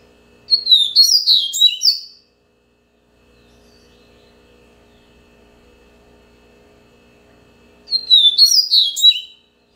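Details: Two matching song phrases about seven seconds apart from a captive Double-collared seedeater singing the Bahia style: quick chains of high, downslurred whistles and crisp chips, each lasting about a second and a half, over a low room hum.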